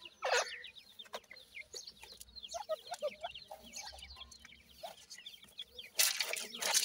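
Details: Young Dakhni teetar and Desi teetar chicks being fed in captivity give many overlapping high, falling cheeps, with sharp pecking clicks and a burst of scraping noise near the end.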